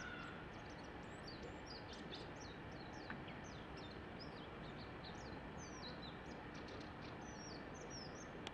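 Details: Japanese white-eye singing in the tree next door, scattered high, thin twittering notes spread across the clip, fainter and sparser, set against a strong broad hiss of background noise.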